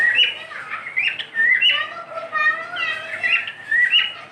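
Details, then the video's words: Pet cockatiel giving repeated bright whistled chirps, each a quick upward-bending note, recurring roughly every half second over a soft background of faint voices. "My cockatiel | beautiful Whistling"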